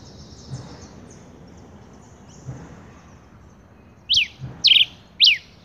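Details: Rufous-collared sparrow, a male: near-silence with faint distant twitters, then three bright, clipped down-slurred whistles in quick succession near the end.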